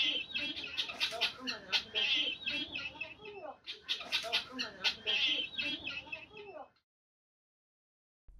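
Guinea fowl giving harsh, grating cackles, several birds calling over one another in a rapid, uneven chatter for about six seconds before falling silent.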